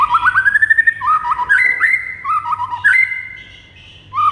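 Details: White-rumped shama tutor song for getting birds to respond: a quick run of rising whistled notes, then mellow slurred whistles and short chirps, fading briefly before a final note.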